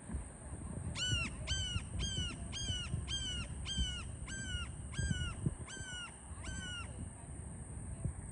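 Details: Red-shouldered hawk recorded on 4 December 2021 gives a rapid series of about eleven loud, clear, harmonic-rich calls. Each call is slightly down-slurred, and they come roughly every half second for six seconds over a steady low rumble of wind.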